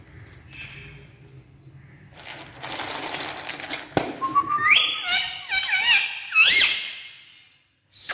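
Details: Talking parrot jumping about on a stair in a small room; a noisy scuffling start gives way to a rising series of looping, warbled whistles, ending in a high swooping note.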